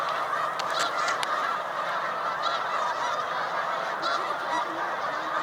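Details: Snow Geese in big flocks on Cayuga Lake, New York, during a spring migration rest stop in March 2021, including dark-morph birds: a dense honking chorus with a few crisp clicks early on.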